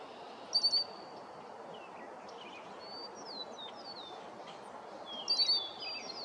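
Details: Red-winged blackbird giving two quick bursts of sharp, high chips, near the start and the end, with thin down-slurred whistles between; an Eastern meadowlark calls in the background, over a steady outdoor hiss.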